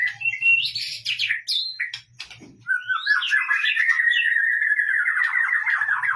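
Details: White-rumped shama song used as a lure to trigger other birds to sing: scratchy high notes and clicks, then a long buzzy trilled warble, with a faint low hum beneath.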